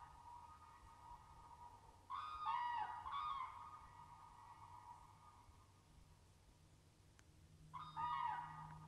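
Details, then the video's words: Common cranes calling in woody Finnish early spring scenery: a loud rolling, trumpeting burst of calls near the start, a second just after, and another near the end, over a low steady hum. "Crane noise"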